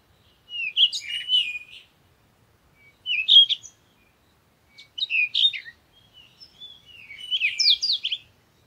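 A parakeet gives four bursts of high, chirpy, warbling chatter about two seconds apart, with twisting notes and a quiet background.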